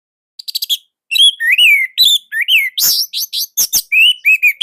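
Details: Orange-headed thrush from Indonesia singing nonstop, its song tight and loud. A brisk medley of whistled, slurred phrases, some rising and falling, with short sharp high notes between them and brief pauses.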